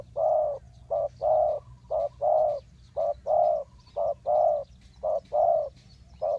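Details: Spotted dove used as a lure for trapping wild birds gives a rhythmic run of deep coos, clipped short notes paired with fuller longer ones, repeated at an even pace against a quiet rural background.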